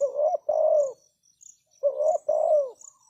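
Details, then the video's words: Luring call of a spotted dove kept as a decoy for wild doves: two phrases, each a quick rising coo and then a long, husky, falling coo. Insects chirp faintly in the background. "Chim cu gáy chiêu kích mồi tập bổi nhanh nổi hiệu quả"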